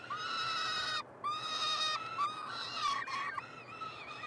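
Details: Three peregrine falcon chicks, hatched 26–27 May, being fed in a nestbox at the University of Montreal, Quebec, Canada, on 21 June 2022, captured by a live nest camera; loud drawn-out harmonic wailing screams, each about a second, repeated with short gaps.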